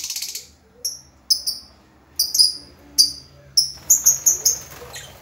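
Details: Lovebird calling in short, sharp, high-pitched chirps, single or in pairs, spaced by brief silences and quickening into a run of chirps at the end.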